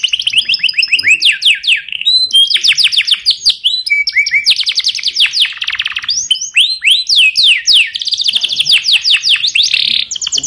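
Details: Training song of a yellow canary, a continuous stream of rapid high trills and rolling downslurred chirps, changing tour every second or two without pause.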